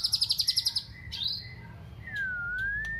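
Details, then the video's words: Shama (murai batu) filled with canary song: a rapid pulsed high trill of about ten beats, brief chirps, then a long smooth whistle dipping and rising, over a low rumbling background. "MURAI BATU ISIAN KENARI"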